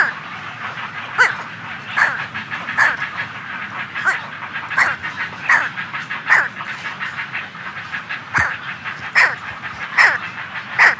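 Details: Week-old brown pelican chick calling close up, colony audible behind: short harsh squawks repeated roughly every second, each a brief burst with strong overtones, over a steady murmur of the colony.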